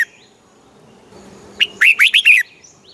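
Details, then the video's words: Red-whiskered bulbul from Thailand, song used to excite caged birds: one short burst of five rich, rolling whistled notes following a faint thin whistle. "เสียงนกกรงหัวจุก ร้อง ริก เปิดให้นกฟัง ยั่วให้นกคึกจัด"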